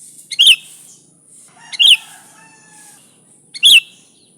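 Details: Lure recording of a noisy sooty-headed bulbul: three sharp chirps spaced over about three seconds, each with a soft grace note, and faint drawn-out whistles midway over a steady high hiss.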